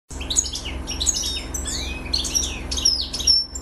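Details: Excited male European goldfinch singing, a recording meant to teach young goldfinches and stimulate females; rapid high twittering song of tinkling notes, sharp chirps and short rising slurs in quick succession, with a steady low hum beneath.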